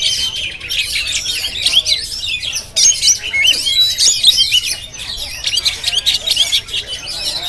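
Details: Oriental magpie-robin, Jampang type, on GoPro, singing rapid, intricate high phrases mixing trills, whistled slurs and scratchy chatter, continuous and lively.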